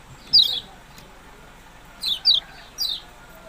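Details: Yellow-bellied prinia with a few high, sharp falling chirps, one alone then a quick cluster of three.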